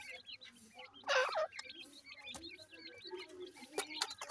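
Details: Feeding grey francolin chicks peep in tiny high chirps, broken by one louder, rough two-part call and occasional sharp taps, with low murmurs behind.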